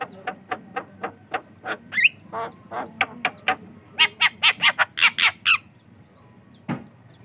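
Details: Javan myna singing, a bird described as in full song and used as a lure and training sound for other mynas; a run of sharp clicking notes, then harsh rasping bursts and squeaky whistles, ending in a lone late note.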